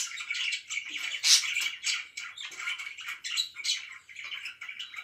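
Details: Budgerigars kept as pets chatter in the morning, with continuous rasping warbles and one sharp, loud squeaky chirp standing out early on.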